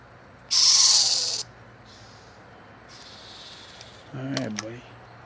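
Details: Screech owl of a family nesting in a yard in NEPA, northeastern Pennsylvania, gives one strong raspy hiss lasting about a second, then softer breathy hisses, followed by a brief burst of human speech at the end.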